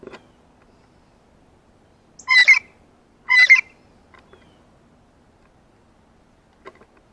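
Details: Excited blue jay near a ripe banana, feeding on seeds and fruit, uttering two close, strongly voiced call notes, then a few faint ticks in a quiet setting.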